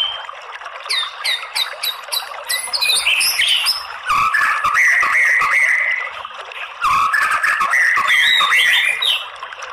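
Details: White-rumped shama lure song meant to make males sing and fight: quick series of sharp, clipped notes first, then long loud runs of varied warbling whistles with brief breaks.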